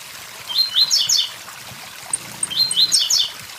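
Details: Two buzzy phrases of quick rising notes from a blue-black grassquit, about two seconds apart, beside a waterfall with steady rushing water and faint high ticks.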